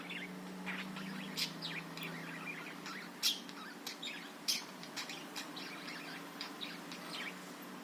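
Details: Budgerigar singing used as a lure to get other birds singing: chirpy chattering with several loud sharp squeaks standing out, continuing in a rapid irregular babble above a low droning hum.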